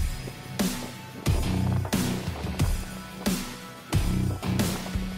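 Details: Electronic music with heavy bass beats pulsing roughly every second, and no animal voice present.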